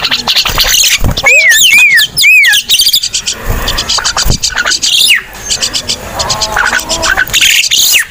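Crested myna giving loud, harsh chatter mixed with bright, arching whistles repeated in quick, uneven bursts; some faint voices in the background.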